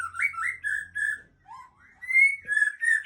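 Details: Breeding hen white-rumped shama of the Murai Aceh type delivering loud, clear whistled phrases: rising and falling slurred notes in quick succession, a brief pause, then a long bright whistle and further rapid warbling.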